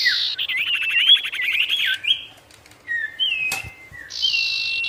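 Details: Sirtu 'gacor' song aimed at wild birds: a wavering whistled trill over rapid pulses, then isolated flat whistles and a sharp click, closing with a sustained buzzy tone.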